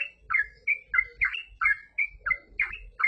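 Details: Yellow-vented bulbul in steady full song, giving clear liquid chirps and short slurred warbles roughly every third of a second, some notes rising sharply, over a soft low rumble.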